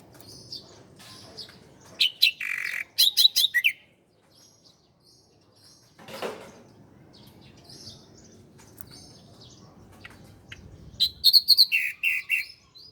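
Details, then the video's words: Bar-winged prinia (ciblek Koya) song from a master recording for training cage birds: bursts of high, sharp chirps and quick trills near 2.5 and 4 seconds, a pause, then another rapid chirping burst toward the end. "masteran burung ciblek Koya"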